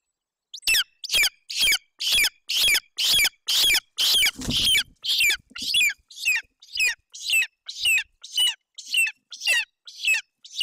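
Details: Golden eagle eaglet at a nest in Bucovina, Romania, on June 8, 2021, hungry with an empty crop as its mother feeds it roe deer fawn; loud, high, shrill squeals repeated about twice a second in a steady series.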